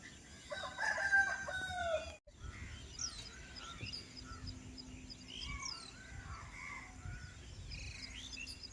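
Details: Birds calling early in the morning in a village: a quick burst of high chirps and whistles, then many scattered short, rising and falling tweets from several birds over a steady low rumble.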